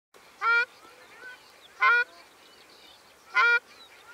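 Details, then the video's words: Ruddy shelduck calling: three loud nasal honks, each about a fifth of a second, spaced roughly one and a half seconds apart, over faint background bird chatter. "Tarro canelo (Tadorna ferruginea) Canto"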